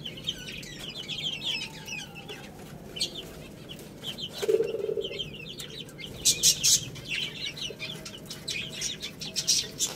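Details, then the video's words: Chicks eating rice chirp in high, fast peeps, with a short lower cluck midway and loud rapid pecking taps later on. "Cute Little Chicks Eating Rice | Beautiful Chicks Chirping Sounds"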